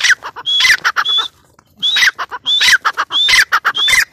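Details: Close, loud calling of a female teetar (grey francolin): shrill whistled phrases mixed with rough staccato notes, two bursts separated by a short silence.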